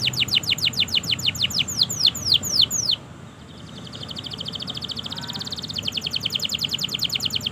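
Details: Canary singing at length to coax silent and juvenile canaries into song: a series of falling whistled sweeps gives way after a short pause to a fast, even, rattling trill.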